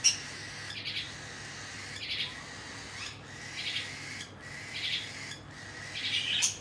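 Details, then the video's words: Cockatiel chicks fed by the adults produce grating, breathy begging bursts in fairly even pulses about once a second, with a soft steady hum behind them. "Cocktail Parrot Feeding Their Chicks"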